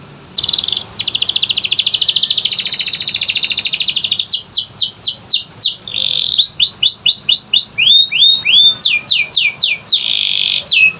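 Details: Canary song used to coax quiet canaries into singing: a long rapid buzzing trill, then falling whistled sweeps, short rising slurs and more trilled bursts.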